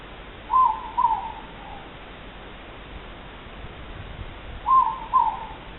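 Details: Two moreporks (ruru) recorded 3 August 2014: a morepork gives its two-note 'more-pork' hoot, a falling first note then a second, repeated after about four seconds over quiet background hiss.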